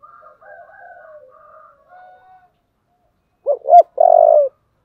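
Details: Spotted dove, 'giọng thổ' song style. Faint, wavering higher coos from another dove open the recording. A loud phrase follows: two short hoots, then a long, even coo.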